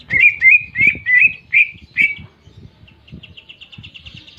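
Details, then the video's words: A greater green leafbird gives clear canary-like song: six evenly spaced, rising whistled notes in two seconds, then a quiet fast series of high chips, with low thumping noise underneath. "Masteran Cucak Ijo Isian Kenari Jernih"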